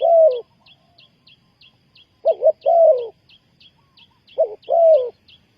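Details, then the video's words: A spotted dove coos to lure wild doves into a trap. Its low mellow phrases pair a stuttered double note with a long sliding coo, and a regular high ticking chirp sounds behind them. "Cu gáy Ninh Thuận,Sound Of dove"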